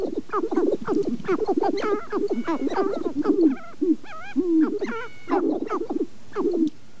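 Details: Several sharp-tailed grouse calling in April at Namekagon Barrens, northern Wisconsin, recorded with a Canon 5D Mark II and two Sennheiser ME67 mics: overlapping hollow coos and quick yelping notes, some sliding upward, in steady clustered bursts.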